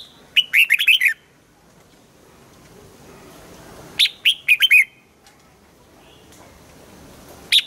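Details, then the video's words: Morning song of a red-whiskered bulbul in training, pushed toward a double-note wild-style song: clear bright whistled phrases of five or six quick notes, repeated after a pause of about three seconds, with a lone note at the end; otherwise quiet. "Luyện giọng cho chào mào hót sáng, ép chào mào hót âm kép già rừng hay tuyệt!"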